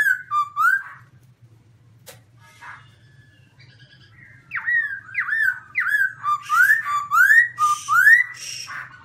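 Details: Caged black-throated laughingthrush singing very loud: rich whistled phrases of looping, rising and falling notes, sparse at first, then a rapid run of repeated upslurred whistles in the second half, over a low hum.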